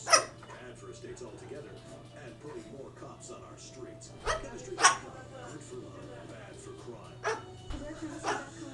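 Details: A baby cockatoo perched on a manzanita tree gives four short, harsh, dog-like barks spread over about eight seconds, with people talking in the background.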